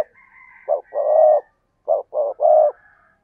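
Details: Spotted dove cooing: two loud phrases, each of two short low hollow coos followed by a longer drawn-out coo, separated by a pause of about a second, with a faint higher whistle in the background.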